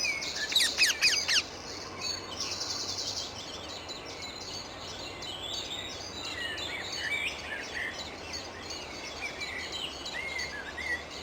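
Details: Wild Indian ringneck (rose-ringed) parakeets in Amsterdam, the Netherlands: a burst of harsh, grating screeches packed close together at the start, then a busy chorus of thinner high chirps and squawks from other birds under steady outdoor hum.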